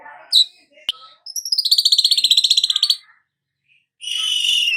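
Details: Weaver song built to make a bird sing vigorously with a long sizzling delivery: a sharp high note and a click, then a fast rattling trill of about thirteen pulses, ending in a dense high buzzy hiss.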